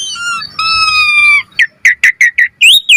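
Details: Varied lure song from an Asian pied starling: a long steady whistled note that slides down, followed by a series of short throaty chirps and two rising squeaky whistles.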